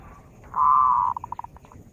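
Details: Zebra dove song used as a lure for catching birds: one loud, steady, low cooing note lasting about half a second, then a quick run of five or six short, fading pulses, over a faint background hum.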